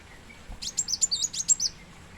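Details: Plain sunbird, called kolibri muncang or kolibri wulung in Indonesia, gives one brief burst of thin, very high, rapid chittering notes lasting about a second against quiet background hiss.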